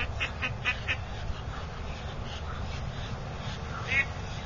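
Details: Pet duck kept with a mottled drake, quacking and grumbling: a quick cluster of three or four short nasal quacks, quieter scattered notes, then a single louder quack near the end, over a low steady rumble.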